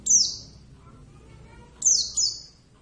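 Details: Oriental white-eye (Javan subspecies, kept bird) giving two piercing, high notes that sweep down and trail off, the second followed by a quick echoing repeat.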